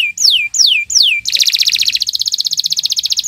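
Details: Canary song used as a training model for other birds: three sweeping descending whistles, then a fast buzzy trill of rapid repeated notes that shifts pitch partway through.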